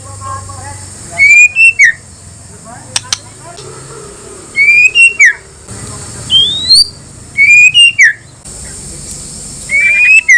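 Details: White-rumped shama song used to rouse other shamas into answering: clear whistled phrases of level and down-slurred notes, repeated about every one and a half to two seconds, five phrases in all.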